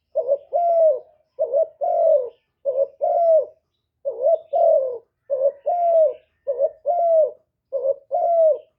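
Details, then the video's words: Caged spotted dove used as a lure for wild doves, recorded without noise. Nine regular phrases come about once a second, each pairing a brief low note with a rising-then-falling coo, with a quiet background. "Cu gáy mồi hạp bổi nghe là gáy, chim cu đất, cu gáy mồi cây, tiếng chim cu gáy gọi"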